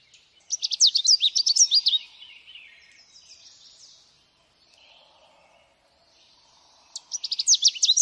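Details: Song of a Canada warbler: a fast, tumbling burst of sharp, high chips and slurred notes lasting over a second, then quieter hissing and twittering, and the next bright jumbled phrase starting about six seconds later.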